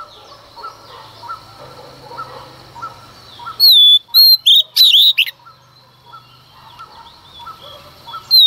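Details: Female Oriental magpie-robin singing early in the morning to incite males. Steady faint chirping from other birds and a low hum surround a short burst of loud whistled, warbling notes in the middle, and one more whistle at the end.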